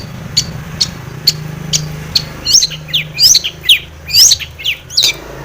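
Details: Long-tailed shrike lure song meant to make a silent shrike sing: faint dry ticks spaced about half a second apart, then a burst of squeaky, rising high whistles and chatters, steady low hum behind.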